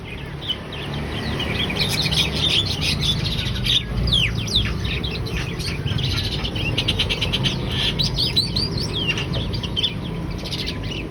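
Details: Javan myna in energetic song: a rapid, busy stream of chirps, whistles and rasping notes over a constant low rumble.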